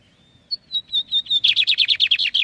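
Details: Lined Seedeater song for young birds to copy: a thin drawn-out whistle, then separate whistled notes that quicken into a dense, regular string of loud buzzy notes.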